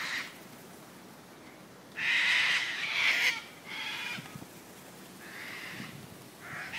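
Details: Loud, raspy screeching by wild cockatoos at the Royal Botanical Gardens in Sydney, Australia, a long harsh outburst followed by shorter grating squawks spaced a second or two apart, with quieter background noise between.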